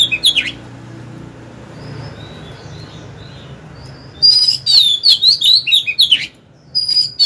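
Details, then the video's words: A decoy Oriental magpie-robin sings to provoke wild rivals into a fight. After a quiet stretch of soft, thin whistles comes a loud two-second burst of rich, warbling, swooping notes, followed by a short rising whistle. "Chòe than mồi hót hay quá!"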